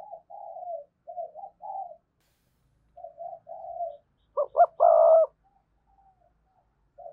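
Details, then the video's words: Decoy spotted dove with a strong voice: a series of soft, low coos in short phrases, then a loud burst of two sharp notes and a sustained coo near the fifth second, and a faint coo at the end. "Tiếng cu gáy mồi chuẩn, con mồi có giọng thúc hay và sung"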